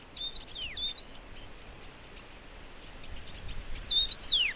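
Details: Taiwan yuhina feeding hungry chicks; a few quick chirpy notes that jump up and slide down steeply, one group early and a louder one near the end, over quiet background hiss.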